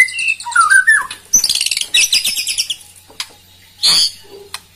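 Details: White-rumped shama singing to rile rival birds: mellow whistled notes, then a dense burst of rapid high chatter, a pause, and a short harsh buzz near the end.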